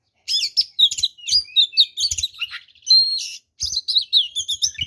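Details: Oriental magpie-robin delivering a rich fighting song said to provoke other magpie-robins into aggression; dense chirps, quick warbles and a steady whistled note, broken by a brief pause before more chattering phrases.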